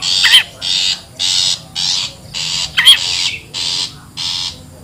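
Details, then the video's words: Wild long-tailed shrike used as a luring sound: evenly spaced grating rasps, about two each second, with two sharp squealing notes at the start and near the middle. "SUARA ASLI PIKAT CENDET,PENTET ALAM LIAR"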